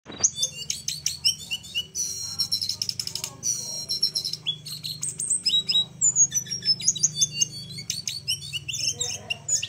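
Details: Flowerpecker song used as a training recording for other birds, in a very unusual style: dense, thin, high chips, trills and short falling whistles in rapid varied bursts, with a faint low hum beneath.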